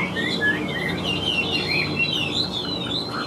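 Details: Chinese hwamei, a wild-caught cage bird, singing drawn-out whistled phrases that slide and waver in pitch, rising and falling smoothly over the whole stretch with a low hum beneath.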